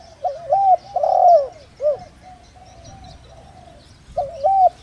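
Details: Decoy spotted dove with a 'giọng đồng rặc' voice, kept for luring birds. A full phrase of mellow, wavering coos ends in a short falling note. A brief fresh coo begins near the end.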